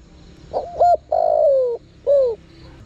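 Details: Spotted dove lure call for attracting wild birds: a short two-part lead note, then a long mellow coo sliding downward, and a final descending coo. A faint high insect-like trill sits in the background.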